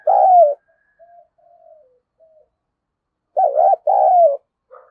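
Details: Spotted dove coo aimed at provoking fighting and luring wild doves: the tail of a falling coo, a few soft low notes, then a full loud phrase of a quavering note and a long sliding coo.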